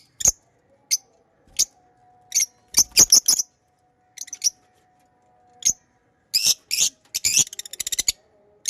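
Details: Pet lovebirds giving sparse high, sharp chirps spaced over several seconds, then a denser burst of scratchy chatter ending in a fast buzzing trill; a faint steady hum runs underneath.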